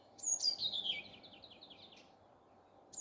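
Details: Common nightingale morning song: a single rich phrase opening with a high whistle, then a rapid descending series of buzzy notes fading out, before a new phrase begins.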